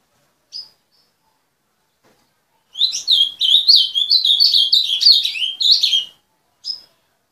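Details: An owned azulão delivers one fast, jumbled song phrase of bright, sliding whistles for roughly three seconds, with a lone sharp chirp before and after in otherwise quiet surroundings.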